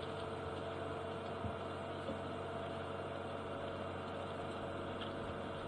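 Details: Steady engine hum and rumble from a vehicle throughout, with broadband background noise and no animal calls.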